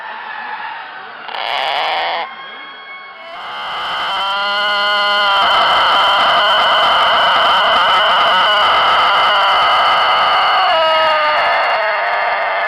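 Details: A rooster of the rare Japanese long-tailed, long-crowing Tōtenkō breed lets out a short opening note, then a long, steady crow held about seven seconds before it wavers and fades.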